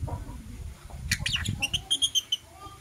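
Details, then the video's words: Lovebirds, blue opaline and parblue euwing opaline, in the morning: a few rough squawks then a quick series of clear, evenly spaced high chips, with low rustling beneath. "Lovebird Chirping Sounds - Blue Opaline & Parblue Euwing Opaline"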